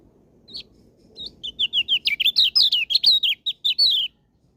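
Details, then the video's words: Lombok white-eye singing a rapid, bright twittering phrase of short high notes, each slurred downward, speeding up into a dense, loud run before stopping abruptly; quiet background. "Kecial lombok"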